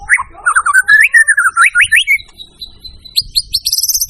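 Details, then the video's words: White-rumped shama song: a rapid string of slurred whistled notes, each sweeping up and down, that climbs steadily higher, ending in fast high repeated chips. "suara burung murai"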